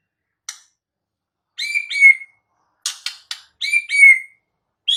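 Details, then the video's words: White-rumped shama in the wild repeating a short phrase twice: sharp clicks followed by a clear whistled note sliding downward, separated by pauses of about a second. "Kicau KHAS Murai BATU di ALAM LIAR"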